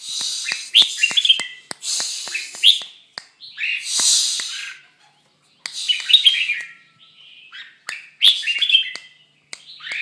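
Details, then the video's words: Moulting red-whiskered bulbul singing short warbled phrases of bright whistled notes, broken by loud broadband hissing bursts and sharp clicks between phrases. "Chao mao dang thay long"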